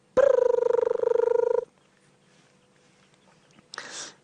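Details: A crested barbet calls in the background during an afternoon safari drive in the Djuma/Sabi Sand area on 14 July 2016, as antelope cross a road: a fast, purring trill on one steady mid pitch for about 1.5 seconds, then a short rustling burst.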